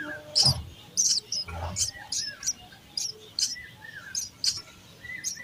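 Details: Sparrow chicks being fed in their nest: sharp, high-pitched chirps in irregular bursts, roughly ninety a minute, with soft low thumps and rustling between the calls.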